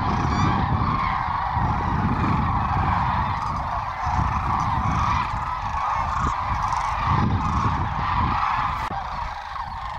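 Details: A huge flock of 750 to a thousand sandhill cranes returning overhead at midday after foraging, Willcox, Arizona, late winter into spring; steady wall of rattling, trumpeting calls layered together, with gusty low wind noise.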